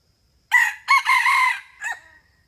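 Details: Crow of a male red junglefowl, 'rung ực' style, played to lure wild junglefowl into traps: a clipped first syllable, a short second, then a steady drawn-out middle phrase and a short falling tail, with near silence around it.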